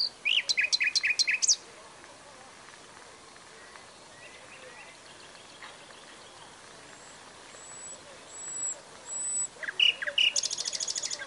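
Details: Nightingale: a loud burst of rapid repeated chirps, a long quieter stretch with faint thin whistles, then another rising phrase ending in a quick rattling trill.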